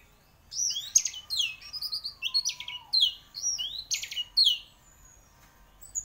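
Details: Champion orange-headed thrush singing vigorously: a run of sharp, high whistled notes and quick buzzy trills, several falling and rising slurs in separate bursts, with a faint low gliding whistle underneath around the middle.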